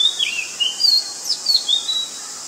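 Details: Oriental magpie-robin in Ubon Ratchathani, Thailand, 19 March 2022; high, sweet whistled phrases with sharp upward and downward slurs, delivered in a quick, varied sequence.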